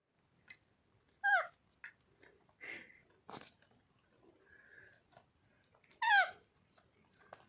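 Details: A pet male Alexandrine parakeet eating peas, green chilli and beef chunks: soft crunches and clicks, with two short, bright squeaky calls that swoop down in pitch, in an otherwise quiet room.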